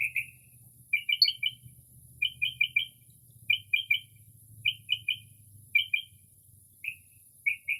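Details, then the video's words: On a quiet early-spring night, a Northern mockingbird mimics other birds with crisp three-note chirping phrases repeated roughly every second, ending with single short notes, over a faint low hum. "Northern Mockingbird Mimics Different Bird Calls"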